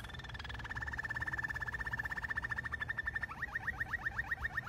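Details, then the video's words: A Malinois canary sings a fast, even rolling trill that slows into a series of bubbling, upward-sliding notes, over a low background hum. "تغريد كناري مالينوا"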